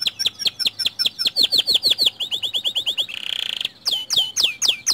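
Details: Lure song of a white canary meant to make other canaries sing: strings of loud falling whistled notes repeated several per second, a short buzzy rattle, then more sweeping slurred notes.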